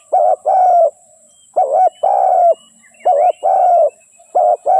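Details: Spotted dove song made of repeated phrases: a short dipping double coo followed by a longer flat coo, four times in steady succession, with faint high chirps of small birds in the background.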